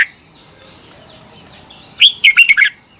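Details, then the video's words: Red-whiskered bulbul in Thailand, for training caged birds. After two seconds of near quiet with a thin high whine, one quick phrase of four or five bright, down-slurred warbling notes sounds. "เสียงนกกรงหัวจุก สำหรับต่อ หรือ เปิดให้นกคึก เสียงเพราะๆ ฝึกหงอนเป็นเวลา"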